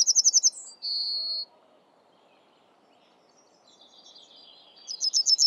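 A Yellowhammer sings a quick run of high, dry repeated notes ending in a drawn-out, wheezy note. A faint pause follows, then a second phrase begins.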